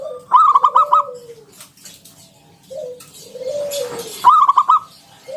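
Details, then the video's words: Local wild-type zebra dove, a loud lively caller used as a lure to get other doves singing, in the Ngalun Kung Bulat style: a burst of quick staccato pulsed notes, then long low drawn-out coos, the phrase repeated. "Suara NGALUN Kung Bulat - Perkutut lokal gacor Pancingan Paling Ampuh Burung Perkutut"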